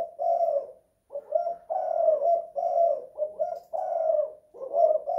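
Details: Spotted dove (tekukur) recorded indoors in a house, singing in the 'kuk 2 / guk 1' coo style; low, mellow cooing notes in grouped phrases separated by brief pauses, repeating steadily throughout.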